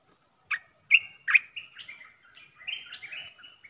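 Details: Bulbul kept as a caged decoy for trapping: a few sharp opening notes, then a run of bubbly, slurred, warbling phrases that soften toward the end, over a faint constant hiss.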